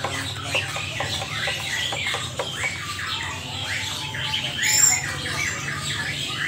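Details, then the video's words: A caged Helmeted friarbird (koak kaok) from Lombok gives harsh, squawking notes in quick, uneven bursts, with a brief high whistle near the end and a low steady hum underneath. "Burung Koak Kaok Biar Cepat Jinak Dan Gacor"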